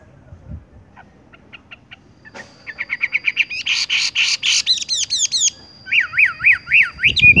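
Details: Horsfield's bush lark singing in a rolling style: scattered soft chirps build into a quick trill and a harsh buzzy burst, followed by wavering looping whistled notes.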